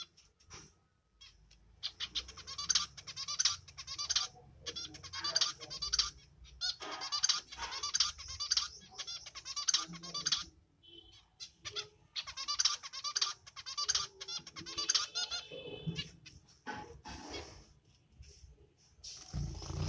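A male zebra finch sings rapid, buzzy, nasal phrases in repeated bursts.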